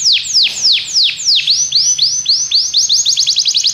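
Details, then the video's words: Belgian canary song used for training other canaries, loud downward-swept whistles that quicken into faster rising notes, forming an accelerating trill. "Canário belga seduz todos os canários para cantar - treinamento de canário"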